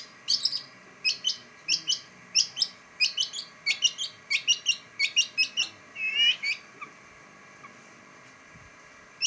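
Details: Pentet (long-tailed shrike) giving a string of sharp, high chips in pairs and triplets, ending with a short buzzy downward note before a quiet pause.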